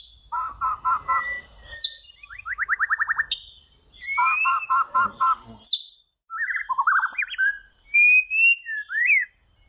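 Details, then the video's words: Singing white-rumped shama delivering bursts of four quick, evenly spaced notes and a fast ladder of rising notes, plus thin, very high whistles and slurred, warbled phrases near the end. "صوت طائر الشامه - Rumped Shama Birds Singing"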